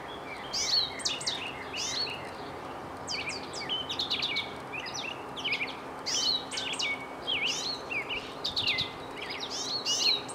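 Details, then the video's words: Goldfinch singing a spring tune from a birch tree after leaving a bird feeder: bursts of bright, varied twittering and rising whistled notes, separated by short pauses, over a steady hiss of background noise. "The song of the Goldfinch"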